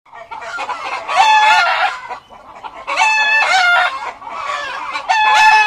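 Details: Many chickens in a coop, loud: bursts of overlapping harsh clucks and squawks with short quieter gaps, a rooster-like drawn cry mixed in.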